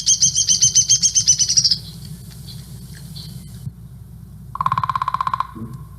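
Downy Woodpecker: a fast, high whinny of about a dozen squeaky notes that slides slightly downward. A lower, buzzy rapid series follows, over a steady low hum.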